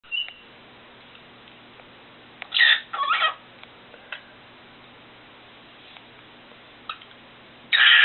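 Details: A pet cockatiel sings, giving short bursts of harsh, scratchy chatter between brief whistled notes in a quiet room.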